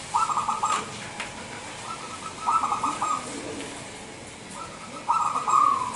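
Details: Wild local zebra dove, Indonesia, cooing as a lure for other doves. Three clear bursts of trilled, bubbling coo notes, each under a second, spaced about two to three seconds apart, with faint clicks and hiss.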